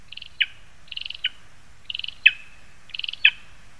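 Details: Lesser spotted eagle in a Latvian spruce in Zemgale, 22 August 2021. Four phrases, about one per second, each a fast stuttered burst of five high notes ending in a loud, sharply falling yelp with a short whistled tail.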